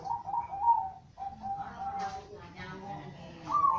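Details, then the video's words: Zebra dove from a kept collection of birds with varied voices and cooing styles, giving mellow, tonal cooing phrases that rise and fall, with faint voices and room noise behind. "Perkutut master gacor"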